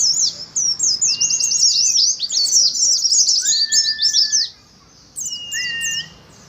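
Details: Oriental white-eyes kept in cages singing ngalas, a therapy recording for colony birds: fast crowded high twitters with level whistled tones beneath, dropping to a few sparse chirps and whistles at the end.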